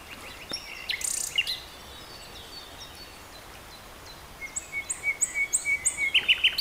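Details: Common nightingale song emerging after a stretch of noisy background with a few scattered high sounds: a long, thin level whistle, then a rapid run of loud repeated chirps building toward the end.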